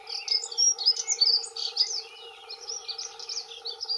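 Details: Two male dunnocks giving territorial song: loud, hurried jingling warble of high squeaky notes, a brief dip, then another run of twittering, all over a faint steady drone.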